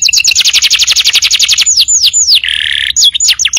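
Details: Canary song used to tutor untrained birds: a long, rapid, even trill, three slow descending slurs, a burst of harsh buzzy notes, then quick chipped whistles.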